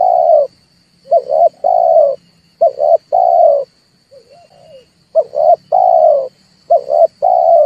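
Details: Red turtle dove cooing, played as a lure to stir birds into calling for trapping: low phrases of two short clipped notes and a longer drawn-out coo, repeated with pauses, one soft wavering note between, a thin steady whine behind.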